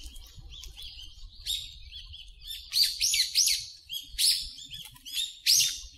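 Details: Wild birds calling in a park, taken with a Zoom H4n recorder and noise-reduced: sharp, high chirps come in distinct bursts roughly every half second to second, separated by brief quieter gaps, over near silence.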